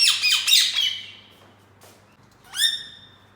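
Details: Indoor caged green ringneck parakeet giving a quick series of loud, rough chattering notes, a pause, then a single rising squawk.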